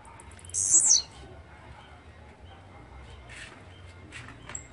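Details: Blue-black grassquit, also called chirrio, pirra, tiziu or volantina, utters one brief, piercing, buzzy note that curls downward, followed by quiet with faint clicks and a low hum.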